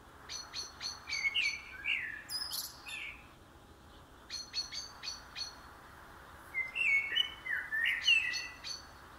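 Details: Blackbird warbling, low and flutey, in two bursts, interleaved with quick trains of sharp, high repeated notes from another songbird.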